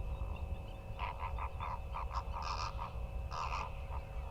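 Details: Greater flamingos in a large flock with mallards at the Hula Nature Reserve wetland, Israel, a waterbird stopover site, give a rapid series of short, nasal, goose-like honks and gabbling notes over a steady low wind rumble.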